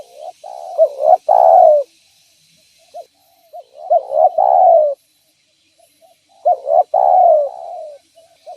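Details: Spotted dove calling vigorously, used as a lure to attract other spotted doves: low, mellow cooing phrases of several short notes ending in a longer drawn-out coo, repeated about every three seconds, three phrases heard, otherwise quiet.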